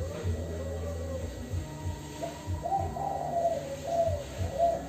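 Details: Lure recording of a spotted dove giving the "kuk 2" coo to make other doves reply: soft, hollow coo notes in a loose series with deeper pulsed tones underneath and constant background hiss.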